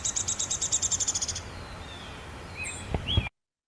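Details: Downy Woodpecker song, a Kentucky bird: a quick, high whinny or trill of about a dozen sharp notes that slow and descend toward the end; faint high calls follow.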